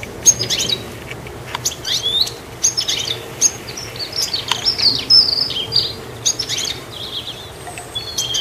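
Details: Sparse, high goldfinch chirps and brief twitters from a treetop perch, spread irregularly across several seconds, with a faint low hum behind.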